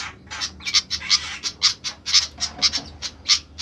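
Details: Flycatcher calling loudly: quick, scratchy, buzzy notes about two per second, slightly uneven, with a quiet background.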